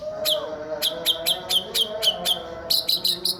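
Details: Male white-rumped shama repeating sharp, high, downward-flicking chip notes about four per second, ending in a quicker run of buzzy notes, part of its isian song.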